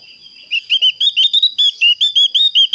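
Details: Javan grey-throated white-eye calling to a rival, with a very clear voice: after a faint start, a rapid series of about a dozen short, bright chirped notes, each briefly rising and falling, delivered about five per second in a quiet setting.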